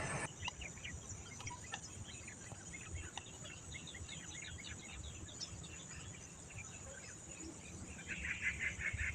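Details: Baya weavers (Ploceus philippinus) at their nests in a village chatter together in a dense stream of short, high, quick and overlapping chirps. A buzzy burst comes near the end over a steady insect hiss.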